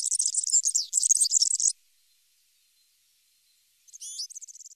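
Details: European serin song recorded for tutoring young birds: a fast, jingling, high-pitched buzzy twitter in two bursts of about a second each, a silent pause, then a brief sliding note and renewed rapid trill.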